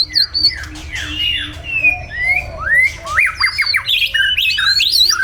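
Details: White-rumped shama in morning song, Vietnam; sweeping slurred whistles give way to clipped, rapidly repeated notes and higher twittering phrases, with a low rumble underneath.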